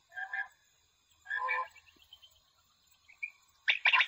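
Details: Common quail at night, an electronic caller set up to lure quail for hunting: two nasal, croaking notes about a second apart, then a quick pair of sharp, bright notes at the end.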